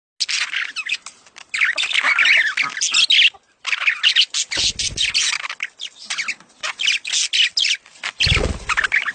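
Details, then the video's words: Budgerigars giving mating calls meant to stimulate the female to lay eggs; dense, continuous high chattering of squawks and warbled chirps with a brief pause near the middle and a few low clicks. "خلي انثي البادجي تبيض بسرعه.اصوات التزاوج للتحفيز"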